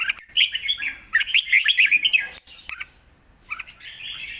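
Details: Caged red-whiskered bulbul delivering forceful 'lak wai' style song, a model for teaching young birds: a quick tumbling run of bright whistles, a short pause, then softer phrases and a final burst.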